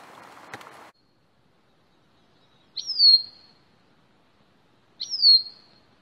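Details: Bicknell's thrush on its breeding territory giving two high, downslurred whistled notes about two seconds apart, each sliding down and fading. A brief burst of noise comes before them, then quiet.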